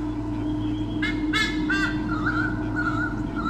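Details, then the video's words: White-bellied sea eagle pair on a nest camera at Sydney Olympic Park, Australia, 2013, defending territory from swooping currawongs: three loud harsh honking notes in quick succession, then thinner wavering tones, over a steady low hum. "WBSE 2013 - Defending their territory!"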